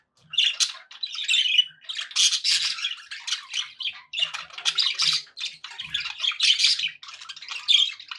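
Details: Contented budgies chattering indoors as pets, rapid raspy warbling interspersed with sharp chirps and squawks, continuous bursts of high-pitched sound with only slight breaks.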